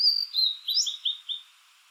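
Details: Song fragment of a blue-and-white flycatcher, a Japanese summer visitor of low mountains that sings from treetops or exposed dead branches: sweet drawn-out high whistles followed by four short descending slurred notes, then silence.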